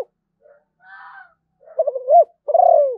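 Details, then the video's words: Zebra dove of Malaysian stock giving a quiet low murmur, then a rapid ripple of stuttered coos rising into a longer sustained coo that slides gently downward. "chim cu gáy malaysia/ cu gáy malaysia"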